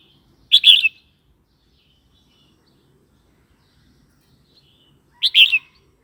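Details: Red-whiskered bulbul, a recording meant for teaching young birds and provoking others: two brief, rich warbled bursts about four and a half seconds apart, with quiet in between.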